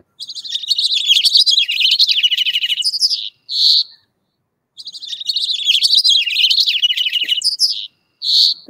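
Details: California Towhee, a brown ground-feeding bird, at Calero County Park oak woodland, giving a rapid, sputtering run of high squeaky chips lasting about three seconds, ending in a sharp squeal; the run comes twice.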